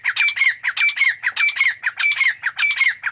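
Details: Grey francolin calling: loud, harsh squawking phrases repeated rapidly, about five bursts in three seconds, each a cluster of rising strokes with a clear whistled tone near the middle, fairly regular rhythm, no other sounds.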